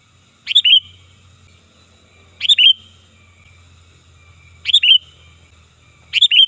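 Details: Sooty-headed bulbul giving a loud, lively lure call that is also used for tutoring birds. Four quick three-note phrases, each closing in a short level whistle, come about every two seconds above a steady low hum.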